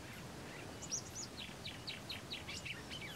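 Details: Song of a rusty-collared seedeater recorded at Los Tres Gigantes station, Pantanal of Paraguay: a quick series of high, sharp chips and short slurred whistles, each note falling, delivered about four per second over a constant low hiss.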